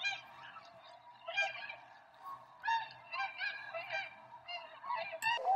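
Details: High-pitched, goose-like honks from tundra swans at Rosedale and Munson near Drumheller, Alberta, Canada, many rich overlapping notes in quick bursts, several birds calling together against a quiet backdrop.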